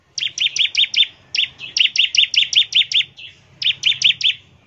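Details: Ngebren song of a bar-winged prinia, played as a lure so prinias start singing: an almost unbroken run of around twenty high, clipped chirps with only a couple of short breaks.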